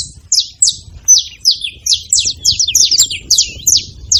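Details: Saffron finches chattering at a feeding spot with rapid, bright, high chirps, each sharply dropping in pitch, following one another almost without pause over a quiet low rumble.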